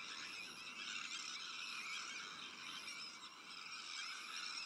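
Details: Sandwich tern breeding colony with neighbouring black-headed gulls, Arctic and common terns, heard as an even, unbroken chorus of raspy, scratchy calls from many birds.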